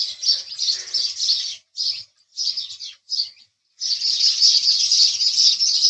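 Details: House sparrow chatter: dense scratchy chirping, then three short bursts with gaps, then a long continuous stretch of busy overlapping notes.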